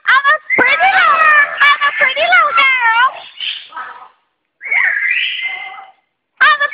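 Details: A talking female double yellow-headed amazon chatters in speech-like phrases, mixing rough voiced syllables with bright whistled, rising and falling tones, in bursts separated by short pauses.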